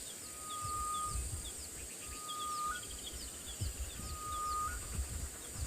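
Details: A pair of grey-headed bushshrikes at sunrise on 1 December in Tswalu Kalahari Reserve, South Africa, give three long, steady, mournful whistles with a small upturn at the end, over faint chirps and a low rumble.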